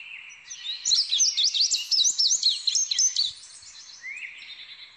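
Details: Indigo bunting singing a quick, bright run of high chirps and twittering notes for about two and a half seconds, trailing off into a softer rising phrase near the end.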